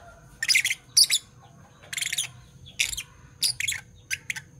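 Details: Fischer's lovebirds, one parblue violet and one parblue turquoise, chirping in the morning: loud grating bursts of rapid high notes, a few clustered phrases separated by short pauses.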